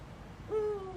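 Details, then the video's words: A hand-reared female Eurasian eagle-owl at a zoo exhibit, described as very talkative and chatting back to her keepers, gives one drawn-out, mellow hoot that starts abruptly and sags slightly in pitch, over a faint hum. "and you hear that she is a very talkative owl"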